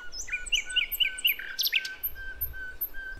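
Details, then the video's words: Bird of the Java forest, female calling males, played to attract young wild birds: clipped rising-falling whistles repeated about twice a second, then a burst of higher notes, with a faint steady tone beneath. "Nightingale Bird Singing - Suara Kicau Burung Sikatan Londo Kipas Rimba Emas"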